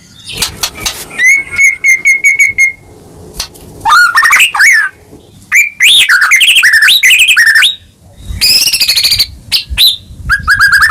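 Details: White-rumped shama (murai batu) in full 'gacor' song, used as a lure to rouse a silent caged bird: loud varied whistles, a long steady high trill, sweeping slurred phrases and rapid chattering bursts, with brief pauses between phrases.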